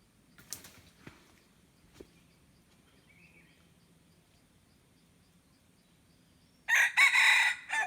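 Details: Decoy red junglefowl calling to draw in wild birds, 10 March 2022: a few soft clicks and faint rustles, then a loud, harsh, broken crow near the end, lasting about one second.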